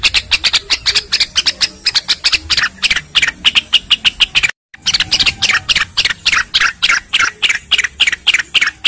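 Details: Cucak rengganis song recorded as training material for other birds, set against flowing water: fast, tightly packed high chirps repeated in quick bursts, with a brief gap midway before the rapid pattern resumes.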